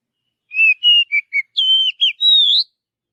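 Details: Wild Oriental magpie-robin song in forest: four short whistled notes at varying pitches, then a longer level whistle, a brief dipping note, and a final rising whistle; a tidy phrase with silence around it.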